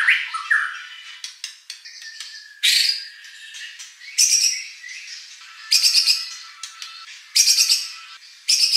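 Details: White-rumped shama song used to goad a contest bird into singing back: a few low whistles, then bursts of harsh, high buzzy notes about every one and a half seconds, with brief clicks between.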